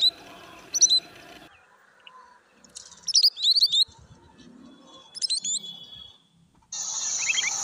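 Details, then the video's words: A sandpiper gives thin, high whistled calls in short bursts of two to four notes, with steady background hiss throughout. "Sandpiper call Sounds"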